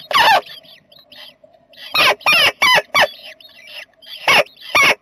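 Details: Jackdaws nesting in a box, recorded 7 May 2020, giving a series of loud, grating, clipped calls, several in quick succession, separated by short pauses and a faint steady hum.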